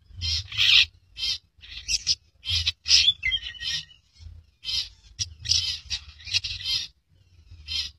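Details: A rare albino, red-eyed long-tailed shrike (Lanius schach) sings harsh, scratchy, high-pitched bursts of chattering song in uneven phrases, with a faint low hum underneath.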